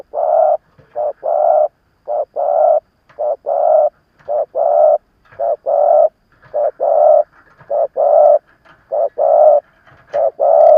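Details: Veteran decoy spotted dove cooing steadily to draw in wild rivals: a long regular run of paired low coos, short then long, about one phrase per second, loud and clear throughout.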